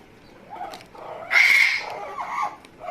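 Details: Pet Amazon parrot making funny noises: soft nasal murmurs, then a loud, sustained, piercing whistle-squawk of about half a second, followed by quieter wavering notes.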